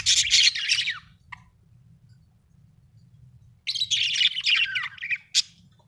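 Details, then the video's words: Happy budgie chirping: dense bursts of scratchy warbled chatter at the start and after a pause, with steady low hum in the background. "happy budgie chirping sound"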